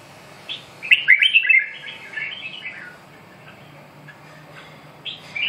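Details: Red-whiskered bulbul giving a quick run of bright, slurred whistled notes that fades into softer trailing phrases, then a short loud phrase at the close; low background hum throughout.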